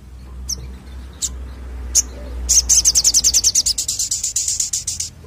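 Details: Crested jay lure call: a few sharp isolated high notes, then a fast, loud rattling series of high clicks about three per second, continuing steadily to the end over a low background hum.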